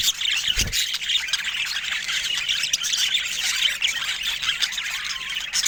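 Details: Budgerigars, popular pets bred in varied colour mutations, keep up a steady high chattering chorus of overlapping squawks and twittering notes, with one short low thump near the start.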